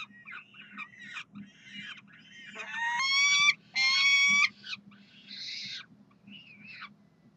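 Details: A Peregrine falcon at the University of Calgary calls for food on a Saturday morning, 9 June 2012, with harsh, screechy wails, two long loud ones in the middle, among shorter rasping notes over a low steady hum.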